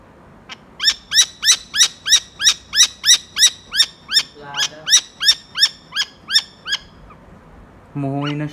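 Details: A falcon, tagged as a saker, gives a fast series of about seventeen harsh, sharp kek notes, roughly three per second, followed by a short low droning sound.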